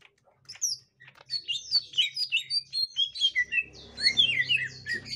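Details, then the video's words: Excited twittering of a gotri-type green leafbird near a young forest green leafbird: rapid high chirps and squeaky slurs in quick succession, with a soft low hum late on. "Tingkah Cucak Ijo Gotri Saat Di Temukan Cucak Ijo Muda Hutan"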